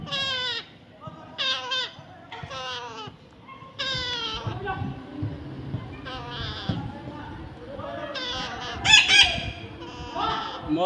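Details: Baby pet parrot during taming, giving a run of short harmonic calls that slide downward, repeated in bursts about every second, with a sharper squawk near the end and a person talking in the background.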